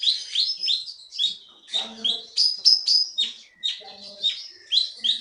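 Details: Konin songbird, wild-caught in the forests of Bangka, now a contest-winning bird in Bangka Belitung, Indonesia, singing a fast, busy song of high chirps, sweeps and trills repeated several times a second, with faint low murmurs underneath.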